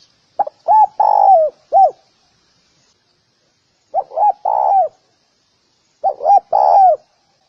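Spotted dove giving a soft, low cooing phrase of four or five notes with a drawn-out middle note, repeated about every three seconds; no other sounds.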